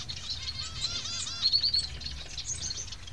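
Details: Begging society finch chicks give a stream of high, thin twittering calls, with a few lower curved chirps near the middle and a steady low hum behind.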